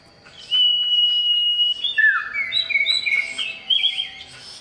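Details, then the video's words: Calling male common iora trying to attract a female: one long steady high whistle, then a sharp downslurred note and a quick series of bright, varied whistles and trills. "Cipoh Jantan Gacor Panggil Betina"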